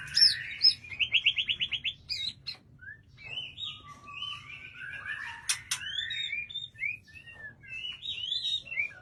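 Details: White-rumped shama, a caged bird kept in an aviary, sings a rich, varied song: a fast run of repeated rising notes, then slurred whistles, buzzy phrases and sharp upswept notes, mostly high-pitched and continuous.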